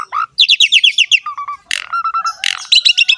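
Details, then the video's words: Jalak suren, the Asian pied starling, singing in energetic gacor ngerek style: quick runs of repeated high chirps, short level whistles, a harsh burst and another rapid chattering series, all loud and close. "BURUNG JALAK SUREN GACOR NGEREK ISTIMEWA"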